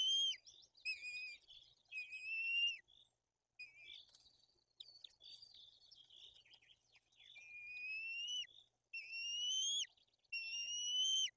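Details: White-tailed eagle nest, Bory Tucholskie, Poland, at feeding time with an aggressive older chick: high whistled calls mixed with a stretch of softer, broken chittering notes, then clear drooping whistles resume near the end.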